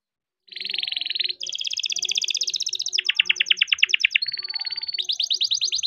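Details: Young farm-bred canary singing to encourage other canaries to sing: a long buzzy trill, then rolling tours, a fast dropping chatter, a level whistle and another quick trill, with a faint clicking background.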